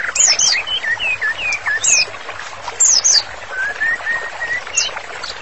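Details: Vigorous white-rumped shama song for therapy training: separate bursts of high, sharp notes alternate with mellow mid-pitched whistles, including a sliding, rising whistle near the end, over faint background hiss.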